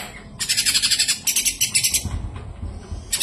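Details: Javan grey-throated white-eye (kapas tembak) in long clear song meant for tutoring other songbirds: fast high trills of pulsed chattering notes in two strong bursts, then a quieter pause and a brief final burst.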